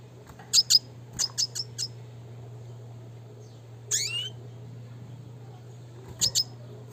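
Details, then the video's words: Red siskin of the classic type, a prolific singer, giving short bursts of high paired chirps with sweeping notes spread over seven seconds, separated by quiet gaps, over a steady low hum. "pancingan suara kicau burung red siskin klasik gacor nembak ngeroll"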